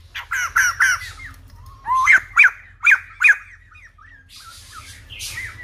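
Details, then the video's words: White-crested laughingthrush singing old-forest style, used to train young birds: three rich harmonic notes, then four loud upslurred whistles spaced about half a second apart, fading to faint notes and a soft rushing hiss. "Khướu Đầu Bạc / Chim Bồ Chao / Ép Giọng Chim Non / 100% Chuẩn Rừng Già"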